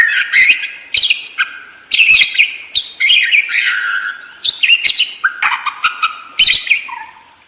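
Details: Continuous budgerigar warbling, with chattering squeaky notes, clicks and sliding whistles running almost without a break, and a few lower drawn notes near the end.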